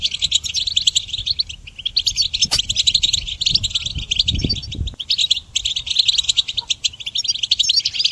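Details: Goldfinch song played for training songbirds: a dense, fast twittering of high, metallic chirps and trills running almost continuously, with a few brief pauses near the middle and a low rumble underneath.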